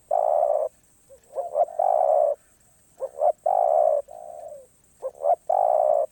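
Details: Spotted dove delivering คารมป่าร้อย style song: repeated phrases of two quick rising notes followed by a long, full, mid-pitched coo, about every one and a half seconds.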